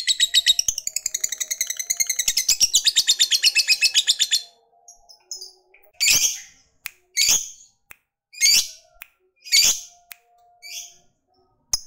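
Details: Fighter lovebird ngekek used to provoke rival males: over four seconds of rapid shrill chatter, then silence broken by five short harsh squawks about a second apart.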